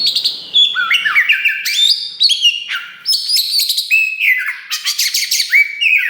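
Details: Kacer wulung (Oriental magpie-robin), a captive bird singing loudly to provoke rivals: a stream of clear whistled notes stepping up and down, punctuated by short scratchy bursts.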